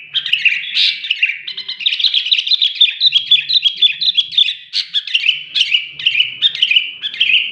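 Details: Sooty-headed bulbul in sustained, excited song: a dense stream of quick squeaky chirps and buzzy trills, almost continuous, with a faint low hum in the background.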